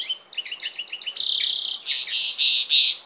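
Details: A goldfinch-canary cross sings a string of quick repeated chirps that flow into long, sustained, rich rolling tones, bright and high, forming a continuous canary-like song.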